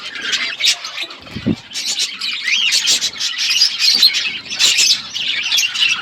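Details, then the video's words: Parrot at its food on February 25, 2024: lively high chirps and squawks in rapid irregular bursts, with several birds calling at once. A brief dull knock is heard near the one-and-a-half-second mark. "Beautiful Parrot eating food birds chirping sounds"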